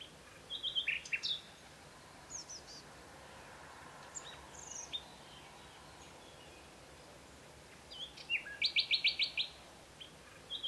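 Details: A Common Nightingale sings early in the morning in spring in Provence: short, varied phrases of high whistles and chips separated by pauses, one ending in a fast run of about six loud, repeated notes.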